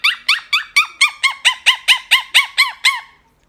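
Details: Blue-colored Quaker parrot talking to its friends, giving a run of about twelve evenly spaced harsh arched squawks, roughly four per second, then falling quiet.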